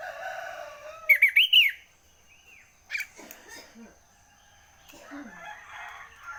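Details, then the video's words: Sooty-headed bulbul early in the morning: one phrase of four quick, bright, bubbling notes rising at the end, followed by scattered softer chirps and calls from the surroundings. "burung kutilan masih pagi pagi sudah ngoceh"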